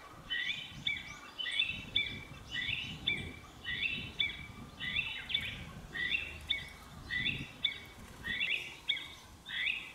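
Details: A Chinese bamboo partridge calls loudly in rapid, repeated shrill phrases, several per second-long burst, over a low rumble of wind or distant noise, calling to threaten an intruder; recorded 14 April 2022.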